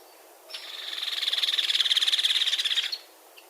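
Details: Dry, emphatic rattle of a Hairy Woodpecker, a call given during territorial encounters between two males or two females and louder than a Downy's: rapid high pulses swelling slightly, running steadily for roughly two and a half seconds.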